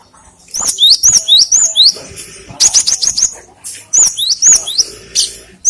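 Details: Great tit song used as a lure and for tutoring other cage birds: rapid series of ringing, upslurred whistles, about four per second in bursts, pausing then resuming, crisp and high with little background noise.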